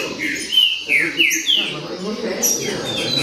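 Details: Green-winged saltator singing in the baderna style: loud, clear whistled notes sliding downward, delivered in a quick run of about four phrases, with a faint low murmur of background voices.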